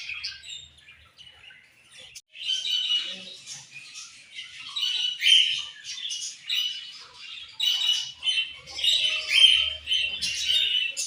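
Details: Colorful budgies chirp rapidly in overlapping, scratchy high warbles and squawks, starting sparse and growing busier and louder after a brief pause.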